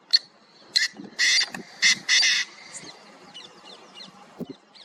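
Painted francolin giving loud, harsh, grating bursts in a quick series of about five notes, with a thin whistled tone running beneath and faint chirps after.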